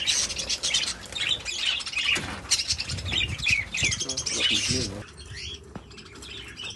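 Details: Budgerigars chattering, a busy stream of high chirps, squeaks and warbles overlapping, fading somewhat toward the end, with low rumbling background noise.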